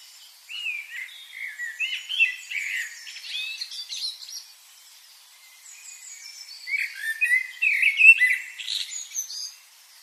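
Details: Birds chirping: bursts of high, varied chirps and short whistled notes, busiest at the start and again toward the end, with a quiet gap in the middle.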